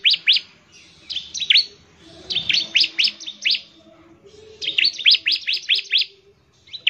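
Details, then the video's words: Rapid ngebren song from a bar-winged prinia, used to call other prinias into singing: three bursts of quick, piercing chirps split by short silences, with a faint low murmur between the bursts. "CIBLEK GACOR, NEMBAK NGEBREN UNTUK MEMANGGIL CIBLEK CEPAT BUNYI GACOR"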